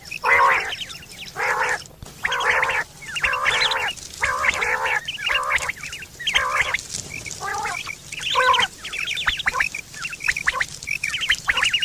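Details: Quail sound from September 2023, described as a common call for hunting and mating: a steady series of rough, buzzy nasal notes about once a second, later giving way to clusters of quick high chirps from several birds.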